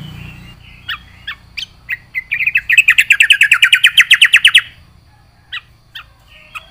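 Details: Yellow-vented bulbul singing energetically with full isian. A few spaced chips lead into a long, fast, buzzy trill of rapid repeated notes lasting over two seconds, followed by occasional single sharp calls.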